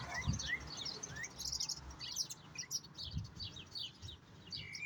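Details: European goldfinch song: bright, high twittering phrases with quick chirps and sweeping notes, against steady low-pitched background noise.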